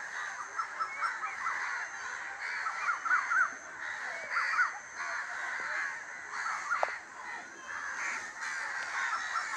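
Crows caw harshly in overlapping bursts, several birds calling at once in a busy chorus over steady background hiss.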